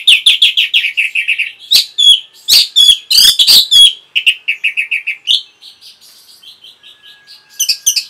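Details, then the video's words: Caged-bird training song (masteran) of an orange-headed thrush: rapid repeated clear chirps, loud scratchy high bursts in the middle, then a fading run of softer evenly spaced whistles. "CUKUP 15 DETIK ANIS MERAH PASTI MENGIKUTI KICAUAN MASTERAN INI"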